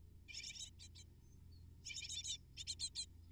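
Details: Great tit chicks in the nest begging as the parents bring food; three clusters of rapid, hoarse rasping notes separated by brief pauses over a faint low rumble.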